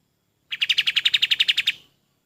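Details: Golden-bellied gerygone song used as a tutor recording for training other songbirds: one rapid burst of about thirteen evenly spaced, high, sharp whistled notes lasting just over a second, then silence.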